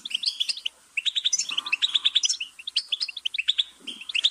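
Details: Goldfinch singing in quick bursts of sharp, tinkling chirps and twitters, high and rapid, with a brief pause near the start, then a lively run of bright, liquid notes and short buzzy trills.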